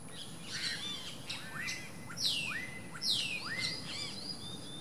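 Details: Least grebe at its nest: two loud, clear whistles, each sliding steeply down from high to lower pitch and then levelling off. Softer downslurred chirps from other callers and a steady faint hiss run underneath.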